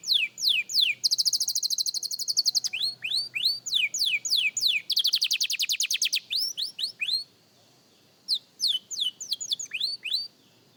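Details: Young canary practising song: quick falling whistles, a sustained buzzy trilled roll, more slurred whistles and another rapid trill, then a short pause before further whistled notes.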